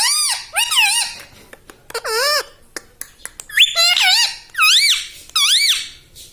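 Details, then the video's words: Talking pet parrot repeating squeaky, nasal, wave-like syllables in a steady series, with light clicks between the louder phrases. "Talking parrot || mitthu mitthu || tota || Bolne wala tota"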